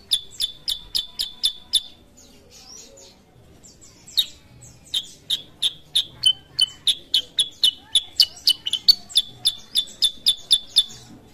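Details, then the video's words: Sooty-headed bulbul called kutilang sutra, singing hard: fast runs of crisp clicking chirps, a brief lull of softer twitters, then a long even burst of about four chips per second. "KUTILANG SUTRA GACOR"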